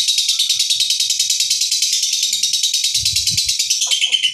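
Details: A rough lovebird ngekek winds down slowly like a diesel: a continuous high, scratchy trill of fast, even pulses, with faint low knocks near the end.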